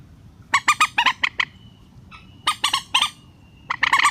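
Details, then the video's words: Rail calls from a relaxed-style bird-trapping lure: a fast run of grating squawky notes, a thin whistle-like trace between, then two more short bursts of harsh repeated notes. "PIKAT BURUNG MANDAR SUARA SANTAI"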